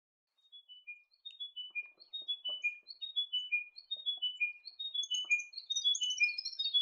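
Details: Chiming wedgebill in tall, dense shrubland of western central Australia, where it usually occurs in pairs, repeats a clear, bell-like phrase of four or five notes stepping down in pitch about once a second, with a second bird overlapping toward the end.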